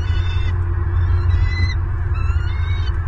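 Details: Nesting bald eagles in Southwest Florida, captured on a nest camera on November 26, 2022 while prey arrives; faint high, slightly descending whistled notes with overtones rise over strong low wind noise.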